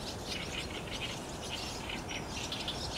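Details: Barn swallows gathering at their roost on an overcast 30 June 2019, recorded with a digital SLR camera: a dense, steady chatter of many high, short chirps and twitters overlapping without pause, over a low background rumble.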